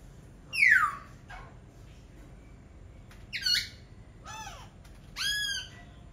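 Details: Laughingthrush calls of varied shape: a steep falling squeal, a nasal squawk, then two arched, bouncing rasping notes, separated by short pauses.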